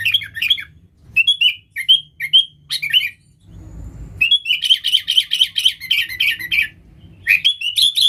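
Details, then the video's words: Lively sooty-headed bulbul Nggaruda song used as a lure for wild bulbuls: scattered slurred whistled phrases, a dull low thump, then a fast steady run of bright chirps and a final rising note. "Suara Burung KUTILANG GACOR Nggaruda"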